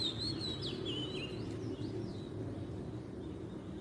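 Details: Wild Oriental magpie-robin in Southeast Asia delivering a loud whistled phrase with sharp upward and downward slurs, fading into softer notes, over continuous low rumbling noise.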